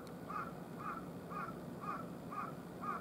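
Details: Wild carrion crow on a hot August 14 morning around 10:13, one of three birds visiting a utility pole, gives six short, hoarse caws at an even pace about every half second over a steady low hum of background noise.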